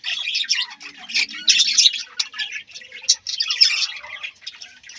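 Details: Budgerigars giving a steady stream of high, raspy chirps and squawks, several birds overlapping in a lively chatter.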